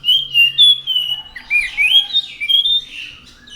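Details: Continuous orange-headed thrush (anis macan) song of long, wavering whistled notes rising and falling, fairly loud throughout.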